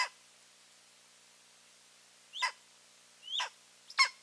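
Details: Eagle pair visiting their nest on 15 March 2023; scattered sharp yelping calls, a pause, then three brief harsh notes close together near the end.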